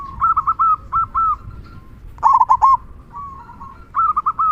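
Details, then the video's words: Local zebra dove singing its loud kung song to provoke other doves. Groups of two or three clipped, even coos alternate with a sharper rattling burst, while softer doves coo continuously in the background. "Perkutut Lokal Gacor Suara Kung Besar Pancingan Burung Perkutut Agar Bunyi"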